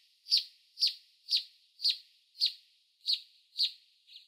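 A canyon wren gives a series of eight sharp, high, buzzy notes, about two each second, with nothing else heard.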